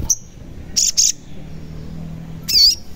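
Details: Sogon singing, meant to stir lazy birds into song: a thin high chip, then a doubled buzzy note and a looping warbled phrase, all shrill and short.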